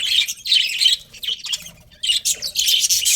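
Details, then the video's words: Budgies give clipped, high chirps in quick bunches, pause briefly around midway, then return with a louder run of scratchy twittering. "Cute Budgies Chirping Sounds"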